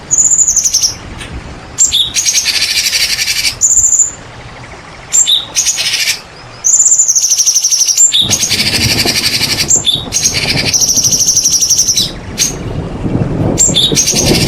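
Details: White-rumped shama lure song for rousing quiet shamas: long buzzy high rattles broken by short sharp notes and pauses, repeated through the recording.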